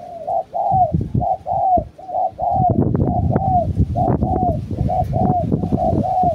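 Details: Pet spotted dove used as a decoy, cooing in a rapid run of short, level notes, some ending in a slight downward bend, about one per second. Loud low knocks and handling noise sit beneath the calls.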